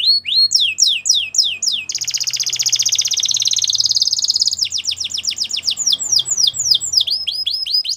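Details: Belgian canary singing a training song: repeated steep downward-sweeping whistles, then a long, dense, buzzing roll lasting over two seconds, then more falling whistle phrases in quick succession.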